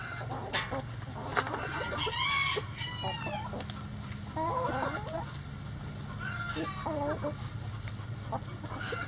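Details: Chickens in a backyard chicken coop, with a rooster and hens: scattered squawks and short harmonic clucks in bursts, some rising and falling, over a steady low hum and background noise.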